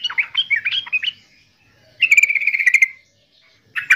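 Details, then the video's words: Yellow-vented bulbul singing: a burst of quick, bubbly warbled notes for about a second, a pause, then a steady buzzy chatter near mid pitch, and a final short bright phrase. "Suara Burung Trucukan"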